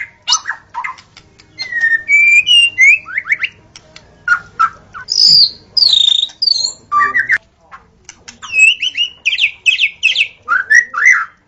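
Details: White-rumped shama in the forest singing a rich, varied sequence of clear whistles, downslurred and upslurred notes and short chattering bursts, phrases separated by brief pauses, with faint insect-like ticking in the background.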